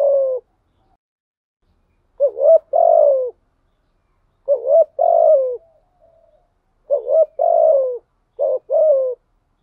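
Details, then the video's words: Caged decoy spotted dove giving repeated coos: four strong phrases, each a brief paired rising note and a long falling hoot, spaced about two seconds apart, otherwise silent. "chim cu mồi thúc gù liên tục"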